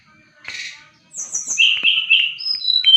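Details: Brown-chested jungle flycatcher in active song, used to tutor other birds: a brief buzzy note, then a run of loud, high whistles stepping down in pitch, ending in thin sliding whistles.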